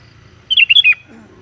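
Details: Sooty-headed bulbul calling to companions, one bright bubbling phrase of four whistled notes, then a short low warbling sound, over a faint background hum.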